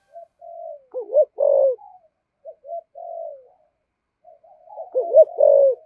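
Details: Spotted dove in its 'giọng thổ' voice: low humming lead-in notes, then quick wavering 'thúc gù' coos ending in a fuller, longer note, the phrase given twice with soft murmurs between.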